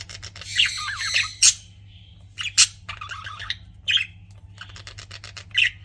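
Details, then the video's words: Pet budgies chirping in short scratchy bursts, with sharp high squawks repeated about once a second among softer warbling chatter, over a faint low hum. "CUTE PET BUDGIES CHIRPING"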